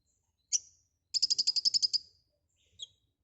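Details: Konin, the white-rumped shama, in lively full filler song: a sharp high chip, then a quick run of about ten bright, evenly spaced trilled notes, ending in a soft descending chip.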